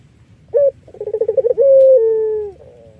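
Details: Collared dove, Iraq variety, whose song serves as a lure for other doves. A short note, then a quick vibrating trill, then one drawn-out, gently descending coo lasting about a second. The background is quiet.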